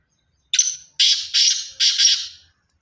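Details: Clean call of a pure Sindhi black francolin: four harsh, hissing, wide-band notes, the first short and separated, the next three longer and nearly joined, in a quiet setting.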